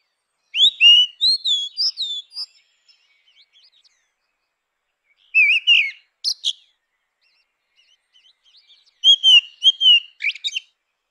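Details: A grey-winged blackbird delivers three separate phrases of rich, warbling whistles, each lasting about a second or two and separated by pauses of several seconds, some ending in thin high squeaks.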